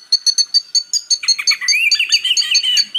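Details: Purple-throated sunbird (kolibri ninja) song in a mix with magpie robin song for training caged birds: high, evenly spaced chips, then a wavering warbled run with sharp notes laid over it.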